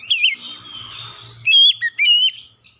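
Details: Oriental magpie-robin song used as a training lure so a stressed, untrained bird starts singing quickly: a short run of sharp whistled notes with rising and bending slurs after a quieter lead-in, with a faint low hum beneath.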